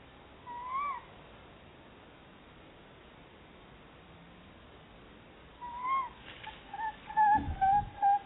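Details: Tawny owl pair inspecting a Somerset barn owl nest box for nesting, chattering together: an early quavering note, then later a cluster of calls followed by a rapid run of short chittering notes with some knocking.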